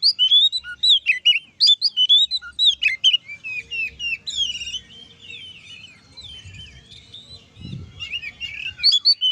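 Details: Oriental magpie-robin, locally kacer, singing ngeplong to goad other magpie-robins into heated song: a long stream of varied whistles and twitters, loud at first, then softer warbling, with a brief rough sound near the end.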